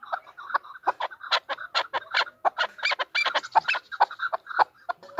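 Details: Female chukar partridge calling: a dense, excited stream of harsh clucks and chuckles, irregular and overlapping, with no pause.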